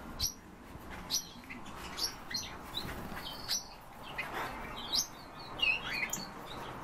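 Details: European bee-eaters giving short, sharp chirped calls roughly once a second, with occasional brief higher trills over a steady low background rumble.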